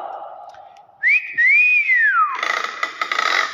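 A common hill myna gives a loud, clear whistle that swoops up and slides down, then a harsh, rasping burst.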